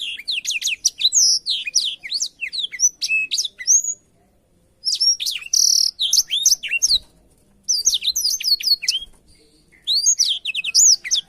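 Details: Black-throated canary song recorded as canary tutor material: bursts of high, quick, zigzagging whistles and chirps separated by clear silent gaps, with a buzzy accent in the middle phrase.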